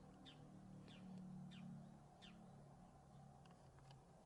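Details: Bull-headed shrike, a resident bird, calling: four sharp, high, downward-sliding notes spaced about 0.6 seconds apart, followed by a few faint ticks, over a steady low hum.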